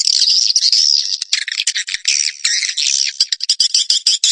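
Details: Indonesian swiftlet-farming lure of swiftlet calling and roosting sounds: continuous, dense, high-pitched twittering and buzzy chattering with many overlapping sharp clicks.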